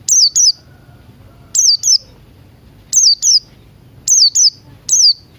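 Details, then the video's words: Morning singing of Buxton's white-eye, used to encourage reluctant birds to sing, with Crested Jay sounds mixed in: high downslurred whistles in pairs, repeated about every second, crisp against a quiet background. "Pleci Buxtoni Ngalas Pagi Hari"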